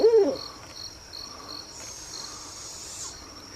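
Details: Owl calling at night: one short, loud hoot opens the recording, then fades into a background of steadily pulsing cricket chirps and a thin, high insect whine.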